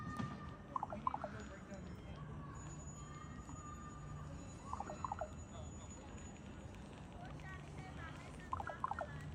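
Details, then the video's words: Ravens give short bursts of strange hollow, gurgling, bubbling notes at about three points, over a steady low hum and background noise. "Ravens Making Strange Bubbling Sounds?"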